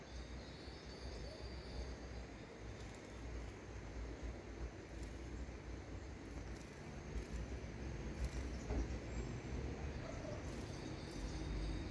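Steady low rumble of passing traffic or a train, with no clear animal call standing out.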